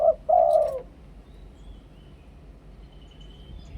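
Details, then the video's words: A single mellow cooing phrase from a Thai spotted dove in two-kuk ku-ang decoy style: a brief clipped note then a longer low coo, followed by near silence. "นกเขาใหญ่ 2 กุก คูอ่าง เสียงต่อชัดๆ"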